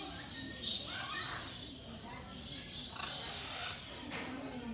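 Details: Noisy military macaws, several caged birds at Mysore Zoo, giving harsh, raspy broadband squawks in short bursts spaced a second or more apart, over a continuous murmur of background talk and ambient noise.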